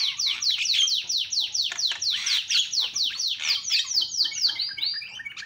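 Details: ['Loud Javan myna calling used to get other mynas to answer: a rapid series of sharp falling notes, about two per second, ending in a rising slurred note.']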